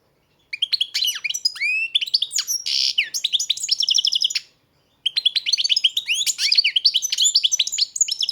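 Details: European goldfinch kept by a breeder, singing a rapid twittering song of high, liquid notes, trills and slurred whistles in two long bursts separated by a short pause.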